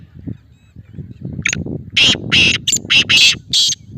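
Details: Male Black francolin (kala teetar) calling: a quick run of about six harsh, grating, buzzy bursts packed into two seconds after a faint opening note, over a low rumbling background.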